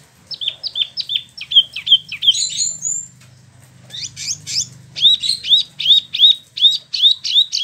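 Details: Spot-throated Babbler, a caged bird from mainland China and Vietnam kept in Bandung, West Java, singing rolling phrases: a fast train of hooked chirps, a short pause, then buzzy notes and another run of upswept chips.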